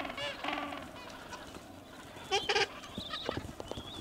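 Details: Gentoo penguins at Orne Harbor, calling amid a colony: a braying, harmonic call near the start, then a loud short blast and scattered sharper cries, with a steady background hiss.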